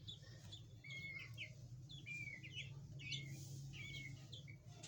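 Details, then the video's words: Chukar partridges (chakor) with their chicks: a run of short, high chirps, some rising and some falling, repeated every second or so over a low steady hum. "Chakor Ki awaz | Partridge Bird chakor sounds"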